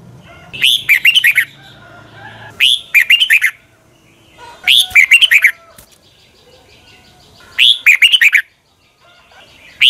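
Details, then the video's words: Morning song of a red-whiskered bulbul, a described double-voiced, long twisting style used for training: short bursts of quick, sweet, slurred whistles roughly every two seconds, separated by near silence with a faint low hum. "Luyện chào mào hót sáng 2020, Quá hay Giọng kép xoắn dài hót căng lửa"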